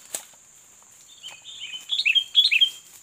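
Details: Sooty-headed bulbul, a fighting bird being lured during bird-catching, answers with a rising run of short whistled, slurred notes that grow louder, starting after a soft flutter.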